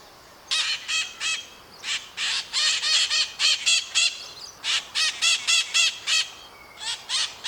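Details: Maritaca parrots, flock-living birds of Brazil, scream loudly: after a brief quiet start, steady rows of harsh, grating squawks follow, several birds alternating with short breaks between series.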